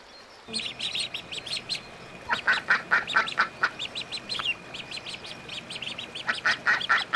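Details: Ducklings and ducks on a lagoon, rapid high peeping in long bursts mixed with short ringing quack-like notes, many calls a second with brief pauses.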